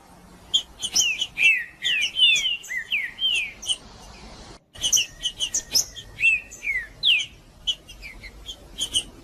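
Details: Green-winged saltator singing in the macheando style, played to stimulate other saltators to sing: loud slurred whistled phrases falling and rising, with sharp high chirps layered above and a brief silent gap near the middle.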